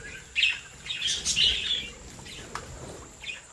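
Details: Captive budgerigars from a home breeding flock give bright chirps and warbled notes around 1.0 to 1.5 seconds, with softer chatter trailing after and a steady faint background hiss.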